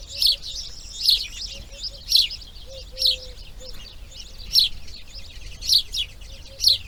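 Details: Grey heron nest during breeding, second day: sharp, high ticking calls repeated roughly every second, some doubled, over a quiet low tonal hum.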